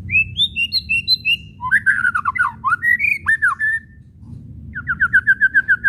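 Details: White-rumped shama kretekan meant to provoke other shamas to sing: high rising whistles, a burst of harsh chattering notes, a pause, then a fast even series of short repeated notes.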